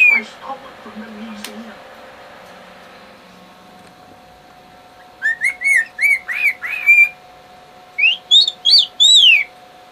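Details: Male pet bird whistling for his mate: soft quiet chatter at first, then a brisk series of rising whistles and a few loud, high descending swoops.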